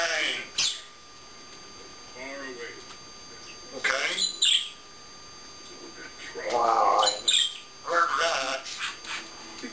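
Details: Pet African grey parrot alone in a room after its owner has left, producing scattered speech-like syllables, a loud harsh squawk near the middle and brief chirps, with quiet gaps between bursts.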